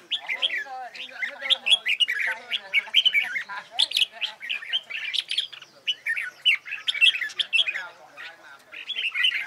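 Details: Energetic red-whiskered bulbul competition singing for training, with almost unbroken chattering whistles and chirps, quick bubbly phrases run together over several seconds.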